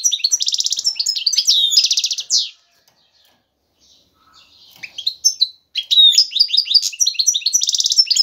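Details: Male European goldfinch courting a female with vigorous twittering: loud buzzy trilled phrases, a silent gap of about three seconds, then the rapid chattering song resumes.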